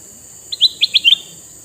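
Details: Short lively phrase from a red-eyed male sooty-headed bulbul kept to attract wild bulbuls: five quick chirpy notes, the last slurring upward, over a continuous high hiss.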